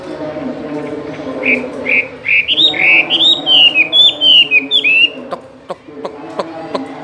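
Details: Caged Chinese hwamei pours out a varied song of loud whistled phrases, rising and falling notes delivered rapidly, building in pitch and strength before breaking off into scattered clicks.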